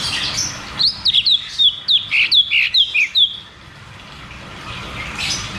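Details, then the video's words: Cucak cungkok song in the rolling 'ngeroll tembak' style, used as a lure to get birds that have stopped singing to sing again: a quick run of about a dozen sharp, high, down-slurred notes, then quiet with faint hiss. "Therapy dan Pancingan Burung Macet Bunyi || Cucak cungkok Ngeroll tembak"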